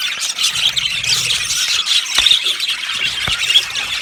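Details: A flock of yellow budgies in an aviary chatters with thin twittering and scratchy warbles. Two short clicks cut through the steady chirping.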